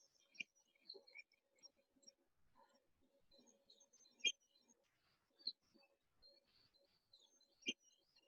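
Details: Rufous-naped Lark, a very common bird around Satara in central Kruger National Park, giving its distinctive short, bright whistled phrase about every three to four seconds, with faint chirps from other birds and a low steady hum behind.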